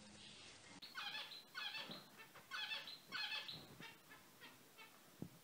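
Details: Active, brightly coloured zebra finches giving a series of nasal, stacked beeps roughly twice a second that fade away toward the end, in a quiet indoor room with a soft click at the close.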